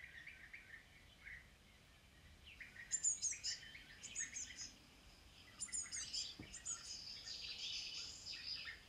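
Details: European bee-eater (Merops apiaster) calls: short, rolling, burry notes repeated irregularly in overlapping bursts, with thin high chirps mixed in, suggesting several birds calling together over a faint steady background hiss.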